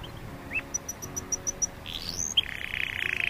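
A canary sings a row of seven quick, high, evenly spaced notes, then a rising sweep into a fast, rolling trill, over a soft bubbling hum of aquarium water.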